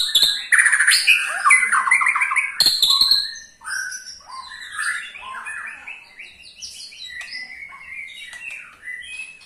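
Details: Ketrekan call of a white-rumped shama, meant to set other shamas singing: a loud burst of dense chattering and whistled notes for about three seconds, then a softer, rambling stream of varied twitters.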